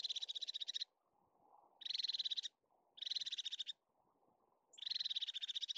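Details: Crested tit in its natural habitat, the Caledonian pine forest of the Scottish Highlands: four short, buzzy, rapidly pulsed high trills, each under a second long, spaced about a second apart, over quiet forest background.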